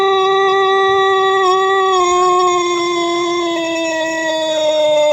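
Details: Pelung chicken from Cianjur, West Java, Indonesia, an ornamental breed known for its long, rhythmic crow. A single clear, ringing crow is held for about five seconds, sliding gradually lower in pitch toward the end.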